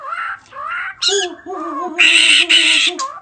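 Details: A bird shaking its head as it sings a greeting: harsh, noisy bursts alternate with lower wavering harmonic notes, ending in two broad rasping squawks.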